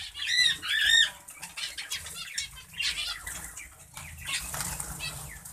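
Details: Zebra finches in a breeding setup giving nasal, trumpet-like calls amid softer chirps and wing flutters.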